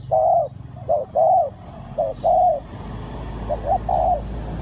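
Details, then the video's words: Spotted dove cooing during a session luring wild doves to a bird trap: a loud series of rounded, throaty coos, then softer paired notes toward the end over faint background hiss. "นกเขาใหญ่สายต่อดิน,The Sound Of the dove"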